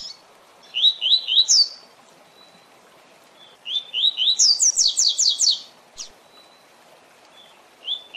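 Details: Double-collared seedeater in the tui tui zel zel song style, used to train captive birds: rising whistle phrases recur every few seconds, one extending into a long string of rapid high buzzy downslurs.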